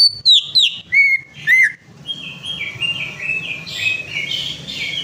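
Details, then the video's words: Greater green leafbird, lure song for a bird that has stopped singing: four strong, sweeping whistles in quick succession, then a continuous softer chattering warble. "PANCINGAN CUCAK IJO MACET PARAH"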